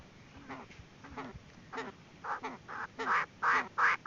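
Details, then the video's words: Chinese francolin hen calling as a decoy for trapping, short wavy notes repeated roughly three per second that grow louder and harsher, ending in strong grating bursts. "tiếng chim đa đa(gà gô) mái mồi"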